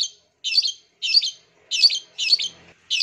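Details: A Long-tailed Shrike, played to stimulate silent caged shrikes to sing, gives harsh, scratchy bursts of chattering notes, each about half a second long, repeated roughly every 0.6 seconds.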